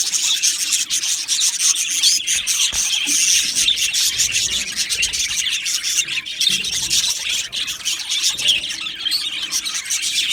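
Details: Budgie aviary colony: a long, dense, buzzy chorus of overlapping high chirps and squawks that runs without pause, with a few soft low knocks in the background.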